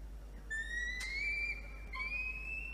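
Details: A peregrine falcon chick in its water-tower nest box in Orange, NSW, Australia, objecting to nest cleaning on 17 November 2021, gives thin, drawn-out whistled whines that slowly rise in pitch, with a brief click between them.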